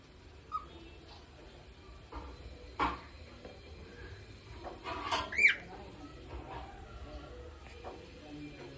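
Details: Parrots eating crunchy carrots; a brief, loud squawk that bends up then down near the middle, a faint short chirp early on, and scattered soft crunching and tapping clicks around it.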